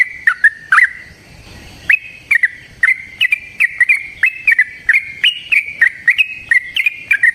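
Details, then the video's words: Yellow-vented bulbul giving fast, lengthy fighting song meant to provoke other bulbuls into singing. After a brief hesitant start and a second's gap, a steady chain of clicky, warbled mid-pitched notes follows in quick succession. "Suara Burung TRUCUKAN gacor TARUNG ROPEL PANJANG pancingan trucukan agar JADI trucuk gacor EMOSI"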